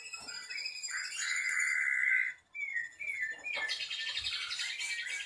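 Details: Ashy drongo (srigunting abu) singing in the prized long 'nembak cililin' style used as a tutor song for songbirds: a sustained whistled note, a short break, then sliding whistles leading into a dense, buzzy high chatter.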